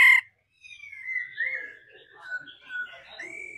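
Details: Female laughingthrush giving stimulating song to excite a male: clear whistled notes around the middle pitch range, sliding and slurred phrases that rise at the end, after a brief sharp burst at the start.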